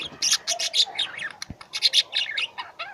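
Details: Pet lovebirds in a flock calling loudly: rapid runs of piercing, high-pitched chirps and squeaks, almost continuous, with one soft thump midway.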